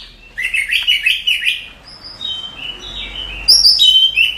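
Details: Oriental magpie-robin masteran: a run of quick wavering whistled notes repeated several times, a quieter pause, then high clear whistles and slurred phrases rising in volume at the end.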